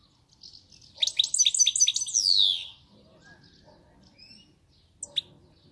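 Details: European goldfinch recorded on 1 May 2019: a fast burst of bright, tinkling twittered notes, then a long descending slurred whistle. Sparse thin notes and a short chip follow over quiet background.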